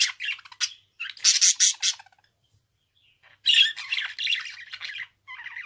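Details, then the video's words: Budgerigar pours out a dense string of harsh buzzy notes, goes quiet for over a second, then resumes with grating chatter and a softer warbling tail. "Kuş sesi - Muhabbet Kuşu"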